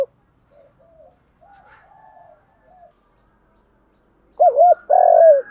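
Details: Spotted dove lure call for provoking rival males: faint murmured coos, a pause, then a loud wavering two-part coo and a sustained buzzy note that drops in pitch.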